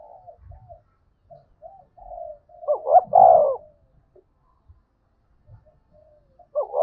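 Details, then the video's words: Spotted dove 'gáy gọi' and 'gáy thúc' calling, used to attract answering wild doves: mostly soft murmured notes and low rumbling, with one clear phrase of rising notes and a long coo midway, another starting at the end. "Chim cu gáy thúc và gáy gọi cực đỉnh giọng rất hạp bổi"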